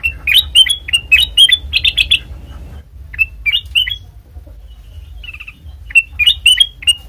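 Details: Black-crested bulbul song used to lure birds for trapping: quick chirped phrases, a softer spaced section, then another brisk run of whistled chirps.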